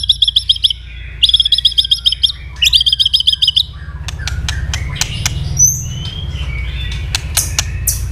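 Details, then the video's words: {'text': 'White-rumped shama in fast fighting song, tail flicking continuously; three bursts of rapid high trilled notes, then a series of sharp clicks with faint thin whistles.'} "chòe lửa đập đuôi liên tục kích thích lửa hót đấu nhanh căng,chòe lửa tạch chòe lửa hót đấu"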